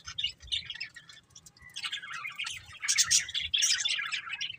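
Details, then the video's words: Budgies chirping, softer broken twitters at first, then building into denser scratchy warbling chatter, over a steady low hum. "Beautiful Budgies Chirping Sounds"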